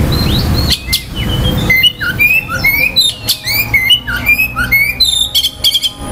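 An Oriental magpie-robin sings a rapid, varied run of clear whistles, slurred rising and falling notes, and sharp chips, with a low rumble at the start.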